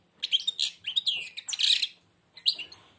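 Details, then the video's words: Short burst of European goldfinch song from a blind bird singing with its beak nearly closed: quick, tinkling twitters and a buzzy flourish, then one more brief phrase. "تغريد_الحسون أعمى سبحان الله يغرد ومنقاره شبه مغلوق chardonneret"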